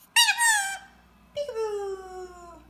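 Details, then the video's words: Pet talking parrot indoors, playing peekaboo, a game it picked up from its owners: a bright, squeaky, voice-like phrase, then after a pause a longer, lower drawn-out phrase that slides gently downward; small room echo. "Cute talking parrot loves playing peekaboo"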